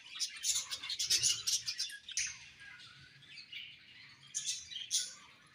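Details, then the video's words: Budgies give rapid, clipped chirps in a lively opening burst, then settle into a softer warbling chatter with a few sharp chirps near the end. "Budgies Chirping Sounds"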